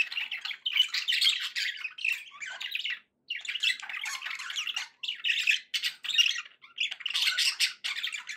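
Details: Pet budgerigars, more than one, chattering in a continuous buzzy, scratchy warble broken by short pauses near three, five and six and a half seconds, busy and fast with clicks and squeaky notes throughout; no other sounds.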